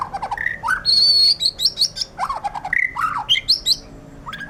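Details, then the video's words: White-rumped shama singing in gacor style, its vigorous full song: a rich varied run of whistled phrases, rising and falling notes near the middle of the range, one long steady high whistle, and quick sharp chips in between. "suara burung murai batu gacor"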